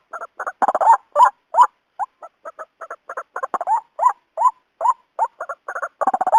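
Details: White-breasted waterhen (Amaurornis phoenicurus), call.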